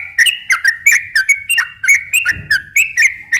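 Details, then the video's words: Bulbul song of the sooty-headed kind, slow and long 'ropel' delivery for attracting wild birds: clipped whistled notes stepping up and down, with a low rumble midway. "kicau suara trucukan gacor ropel pelan dan ropel panjang ini cocok tuk memancing trucuk bahan ombyok"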